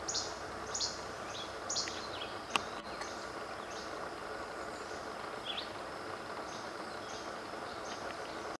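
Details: Least flycatcher singing at Hicks Run Wildlife Viewing Area, Elk Forest, Pennsylvania, on June 16, 2013: short, sharp snapped notes about once a second over a steady hiss.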